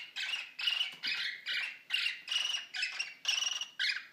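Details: Caged male cockatiel about a year old, courting and mating with a female three years older. Harsh, grating squawks repeat in a quick irregular series of short bursts, about two per second.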